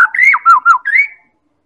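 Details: White-rumped shama from Medan, lure song to prompt other birds to sing: short loud phrase of looping whistled notes, dipping and rising, ending on a long rising slur.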